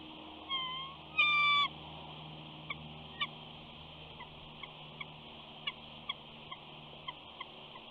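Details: Nesting female eagle at Big Bear, April 2019, whining at her mate to get a look at their new chick. It opens with a louder, drawn-out squealing note, then a string of short high chips spaced about half a second apart over constant hiss.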